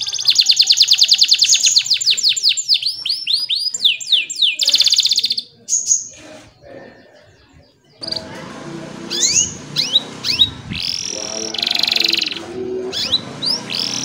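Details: Canary song serving as tutor and prompt for quiet canaries: rapid repeated trills for about five seconds, a pause, then mixed whistled notes and sustained tones over a noisy background.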